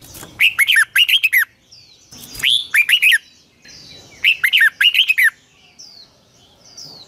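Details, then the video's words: Red-whiskered bulbul in morning song, long twisted double voice, a 2020 lure recording for training birds: three bright phrases of rolling, looping whistles with sharp clicks, then faint high chirps from other birds. "Luyện chào mào hót sáng 2020, Giọng kép xoắn dài Quá hay"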